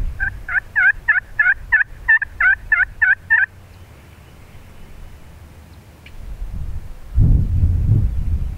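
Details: Wild turkey superjake gobbling about 10 yards from hunters, sounding mature and startling them: a loud, rapid, rattling burst of about eleven throaty pulses over three and a half seconds, then quiet followed by low rustling and thumping.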